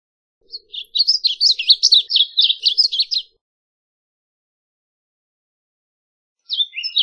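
A varied bunting sings a quick, jumbled warble of high, buzzy and sweet notes for about three seconds, then starts again after a pause.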